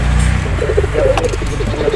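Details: Domestic pigeons give soft, low cooing notes over a steady low hum, perhaps music.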